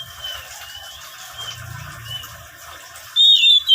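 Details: Oriental magpie-robin, a lively singer used as a lure to prompt wild-caught birds to sing: faint high whistles at first, then a loud, clear whistled phrase bursting out near the end.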